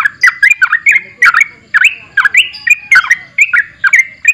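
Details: A sooty-headed bulbul delivers loud, clear whistled phrases in quick bursts, each a few dipping then rising notes separated by short gaps, with the pace steady throughout.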